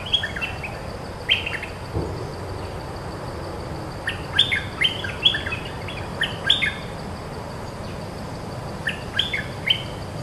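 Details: Territorial cream-vented bulbul countering each lure phrase: quick liquid chirruping bursts, one group early, a dense run of bright warbled notes in the middle, and a final short burst near the end, over constant faint hiss.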